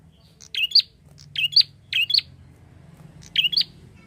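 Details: Prinia calling briskly to attract flock birds, a run of high, bright double chirps about every half second, then a pause and one more pair, with low murmuring noise behind.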